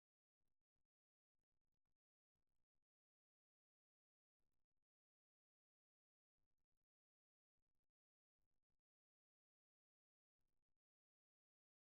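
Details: Near silence broken only by a few brief, faint bursts of broadband noise, with no animal sound.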